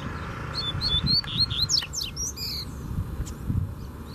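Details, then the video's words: A free Double-collared Seedeater confronts a caged bird in song. It opens with rising whistled notes, then plays fast sweeping chirps and buzzy slurs, all delivered in quick succession over a faint low rumble. "Coleiro Solto Veio Com Força Pra Cima Do Braddock"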